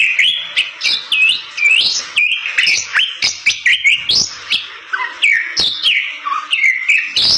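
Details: Rare, protected Bali myna singing briskly to draw other Bali mynas: a steady string of loud whistled phrases that swoop upward then drop, about two each second, mixed with buzzy notes and occasional sharp clicks.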